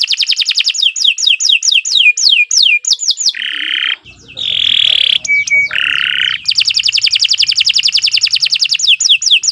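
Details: Captive-bird training song of a canary: fast repeated downward-swooping whistles, then lower harsh buzzy notes and sweeping phrases, ending in a long high rapid trill of repeated notes.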